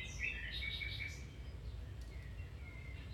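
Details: Song of a domestic canary, used to stimulate another canary to start singing or improve its song: a quick run of sharp chirps and a short trill at the start, then faint thin notes against low humming noise.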